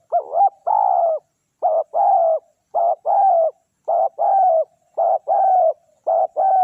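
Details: Decoy spotted dove calling to draw in wild doves. Two-part phrases repeat about once a second, each a short, quavering rise followed by a longer, burry, level coo. Six phrases are heard in a clean, quiet setting.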